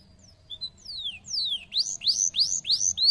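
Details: Canary song opening with faint chirps and two long downward-gliding whistles, then a loud run of rising upswept notes repeated about three times a second.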